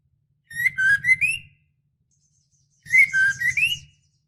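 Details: Female white-rumped shama in breeding condition calling the male: two short whistled phrases about two seconds apart, each a few wavering notes that rise at the end.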